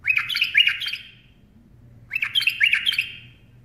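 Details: Bulbul perched on a hand sings two quick, bubbly phrases of tumbling whistled notes, each under a second, with a brief silence between them over a steady low background hum.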